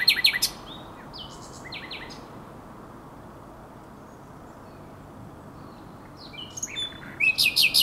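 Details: Nocturnal song of a common nightingale at the Żerań Canal, 23–24 April 2022: a phrase of sharp repeated notes, a long pause of steady background hiss, then a new phrase of slurred notes ending in five loud, evenly spaced chips.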